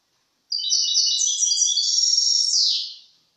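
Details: Goldfinch song recorded in 2023: after a short silence, a continuous stream of rapid, bright, high-pitched twittering and jingling trills lasting nearly three seconds, ending in a buzzy falling flourish that fades out.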